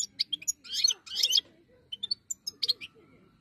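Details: Scratchy, buzzy twittering from a wild-type European goldfinch. Dense chattering bursts mix with single sharp chirps over a faint low murmur.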